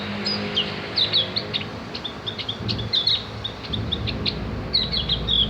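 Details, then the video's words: Javan grey-throated white-eye (opior jawa, cak gentong) song meant for tutoring cage birds: clusters of high, sharp chirps and brief descending whistles, spaced unevenly across the stretch, with a low background rumble. "masteran burung opior jawa atau cak gentong agar ikut ngriwik dan bunyi"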